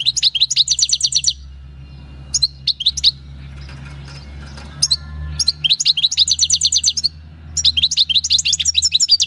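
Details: Wild-caught European goldfinch, taken in the countryside in 2018, singing its natural field song: fast bursts of bright, high, tinkling trills and rattles, broken by pauses with a few isolated chirps; a low steady hum underneath.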